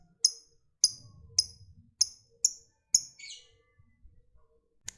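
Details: Lovebird of the fighter type: sharp, high single chirps about every half second, six in a row with one ending in a short downward slur, then quiet and one last chirp.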